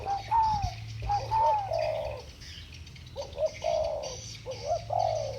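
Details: Pair of spotted doves singing against each other in 'thổ bầu' style: drawn-out, slightly rising then sagging coos early, followed by three shorter clipped coo phrases, backed by a low droning hum and soft high twittering.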